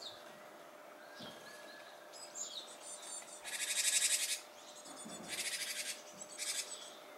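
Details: Japanese tit around fledging time, behaving as if teasing or holding back: several harsh, high buzzy rattles, each about half a second to a second long, with faint thin notes between them and low rumbling noise.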